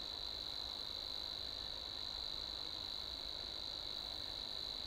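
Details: Unbroken insect-like reeling from a Savi's warbler (Locustella luscinioides), a fast, even, high-pitched buzz sustained without pause or change in pitch, over a quiet low rumble.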